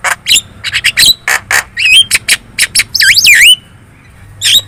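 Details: Very talkative Javan myna giving lure song so other birds answer: fast series of harsh chips and squawks, then sweeping looping whistles before a quiet gap and one last squawk.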